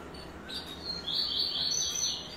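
Yellow-bellied Seedeater singing a quick run of high, buzzy notes that sweep up and down, rising into a bright, rapid trill, over faint background hiss.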